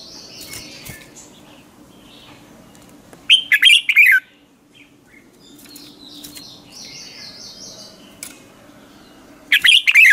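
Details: Morning practice song of a red-whiskered bulbul, used as decoy song for training birds: short, bright phrases of rapid chirps ending in a falling slur, about every six seconds, with faint distant whistles between them.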